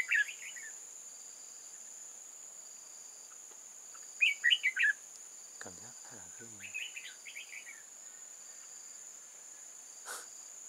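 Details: Decoy red-whiskered bulbul singing at a trap to attract wild bulbuls, 8 October 2018: scattered brief warbled chirp phrases, a man's voice speaking briefly in the middle, and a persistent high insect hum.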